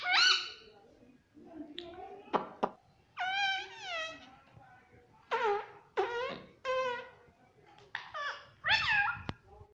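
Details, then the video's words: Talkative pet parrot indoors, said to be saying "mummy papa": a series of short, nasal, speech-like syllables with bending pitch, each burst about half a second long, spaced by gaps of quiet room noise. "ये मिट्टू मम्मी पापा बोलने लग गया || बातूनी तोता मिट्टू"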